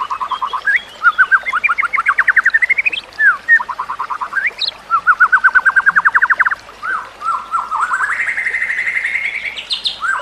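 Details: White-rumped shama training song: several rhythmic runs of quick repeated whistled notes, some steady and some rising stepwise in pitch, separated by brief pauses, with a sustained run and high sweeping phrases at the end.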